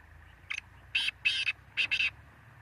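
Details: Black francolin giving a harsh, scratchy call: one short lead note, then two rasping notes, a brief pause and two more grating notes, all buzzy and broad, over a low steady hum.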